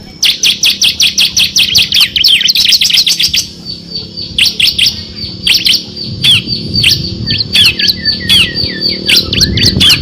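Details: Bar-winged prinia (ciblek kristal) in full ngebren song with six fill variations, a master track for competition birds: a fast unbroken stream of bright chirps, then spaced notes and varied twittering phrases.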